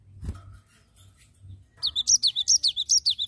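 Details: Cinereous tit singing vigorously in a long rolling run: sharp high two-part notes, each dropping in pitch, repeated rapidly about twice per second after a quiet start with faint low thumps.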